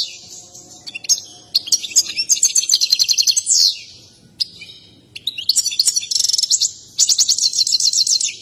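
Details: Excited goldfinch sings with its dance, a bird breeders favour: repeated bursts of fast, tinkling, high-pitched trills and twitters, each lasting about two seconds, separated by short pauses.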